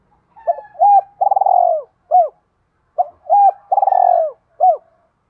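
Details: Spotted dove, called by its local name chim cu gáy, singing in contest with a rival decoy bird: two close, loud phrases of low coos with a vibrating rolled middle note, about two seconds apart.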